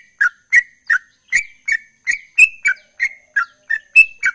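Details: Sooty-headed bulbul in energetic ropel-style song: short, bright chirped notes near mid pitch, each with a crisp high click, repeated about three times a second with slight rises and falls in pitch; no other sounds.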